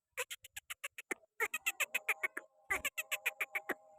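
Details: Green parrot from Pakistan sitting on a hand, uttering rapid harsh chattering pulses about five per second in bursts, overlaid by steady tonal hums, with brief pauses between runs.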